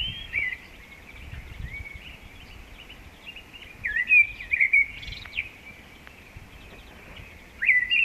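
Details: A common blackbird sings along the Kundler Bergweg and Zauberwinkel in short bursts of warbled, squeaky phrases, some scratchy and twittering, separated by pauses of a few seconds against a quiet outdoor background; a song thrush is also featured.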